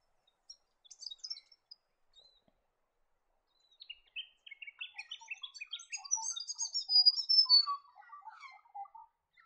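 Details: Yellow-rumped thornbill in Australia, a ground-foraging species often in small or mixed flocks: a quick run of high, thin tinkling chirps, sparse at first, then a dense jingling burst with some lower notes mixed in.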